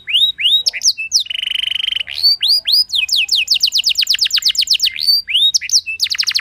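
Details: Canary singing a rich rolling lure song to make other canaries join in. Loud rising whistles lead to a steady, buzzy mid-high roll, then a run of rapid downslurred notes and more bright whistles.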